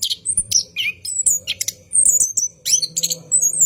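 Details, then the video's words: Orange-headed thrush night song for training cage birds: several clear whistled slurs and sharp high notes in short clusters, some sustained, over a faint low hum. "ANIS KEMBANG GACOR MALAM HARI | NGEROL PANJANG"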